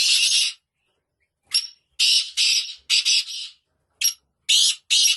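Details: Black francolin calling: a short series of harsh, grating, buzzy notes, several of them paired, given in a broken phrase after a pause of about a second. No other sounds.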